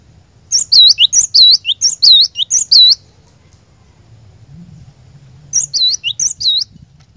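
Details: Glatik batu, or cinereous tit, singing a lure meant to make other birds sing along continuously ('ngerol'): a run of loud, high, ringing curved whistles, a pause, then a shorter repeat of the same phrase.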